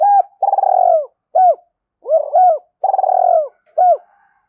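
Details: Spotted dove cooing steadily, from a recording meant to stimulate doves into quick cooing: short hoots alternate with long, throbbing, slightly falling coos in a rapid two-phrase sequence, with a quiet background.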